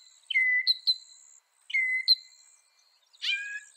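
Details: Northern mockingbird song, North America: two clear whistled notes slurring downward, each followed by a higher chip, then a harsher downslurred note, all with short gaps between.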